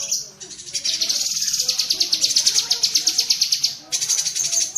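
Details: Rapid chattering from a cucak kinoi bulbul, recorded as training audio for pet birds: a short burst, then a sustained run of fast, sharp, high notes pulsing about three per second, then a brief gap before the chatter resumes.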